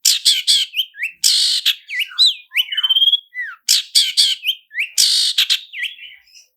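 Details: Lure song of a long-tailed shrike in roll speed and roll tembak style, fast medley of harsh chattering bursts, upslurred and downslurred whistles and a quick trill, densely packed, recorded clean.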